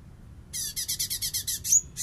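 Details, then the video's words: Light-vented bulbul in full bessetan style, used as master song for training songbirds: a harsh, hissing burst of about eight rapid buzzy pulses with faint falling whistles, ending in a thin high whistled slur, over low steady hum. "CUNGKOK FULL BESSETAN!!! MASTERAN BURUNG KESAYANGAN ANDA"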